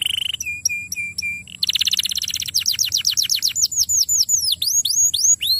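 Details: Young canary lure song for long rolls: a few high downslurred notes, then a dense fast trill, followed by repeated high swooping downslurred notes, about two per second.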